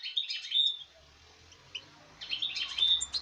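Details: European goldfinch from this season's breeding, 5 August 2019, giving two short bursts of high tinkling twitter at the start and end, with a quiet gap and a soft low hum between.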